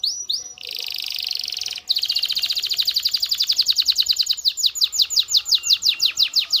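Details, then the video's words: Canary singing to stimulate mating: a few rising chirps and a harsh buzzy burst, then a rapid high trill that loosens into a steady string of descending whistled sweeps, roughly four per second. "Canary singing"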